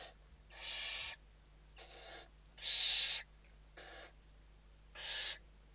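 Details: Western barn owls in the nest during evening feeding in Spain, 29 November 2023: six harsh breathy screeches alternating longer and shorter bursts, about one per second, over a low hum.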